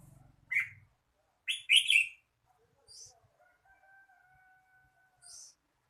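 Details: Red-whiskered bulbul with a single chirp then a rich burst of warbled notes, brief high faint notes, and a long steady faint whistle-like tone in the background.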